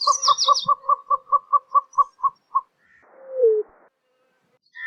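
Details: Greater roadrunner calling: a series of about eleven evenly spaced, low hollow cooing notes over roughly three seconds, opened by a brief high trill from another bird, followed by a short descending whistled slur and quiet background.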